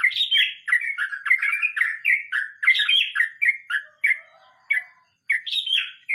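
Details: Rolling 'mbonang' song of a sooty-headed bulbul: a near-continuous stream of loud, rich, slurred and fluty notes in a rapid chattering roll, slowing near the end into a few spaced, clear notes.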